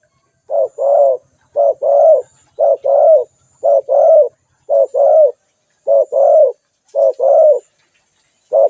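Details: Spotted dove calling: a steady series of nine soft, low two-part coos, each a short note followed by a longer wavering one, repeated about once a second, with faint high chirps from other birds in the background.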